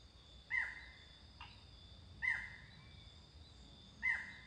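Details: Barred forest falcon in Costa Rica: three short, sharp barked notes, evenly spaced about every 1.8 seconds, with a steady high insect drone continuing throughout.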